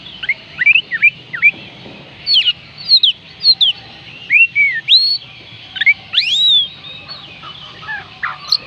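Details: Oriental magpie-robin song used to coax reluctant birds into singing: a rapid run of clear whistled upslurs and downslurs, some sweeping high, delivered in quick bursts with brief pauses over faint low background hum.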